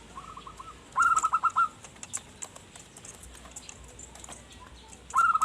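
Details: Zebra dove, sung to lure wild birds, gives a soft coo phrase then a quick bubbling trill of cooing notes, with another run starting at the end amid faint ticking.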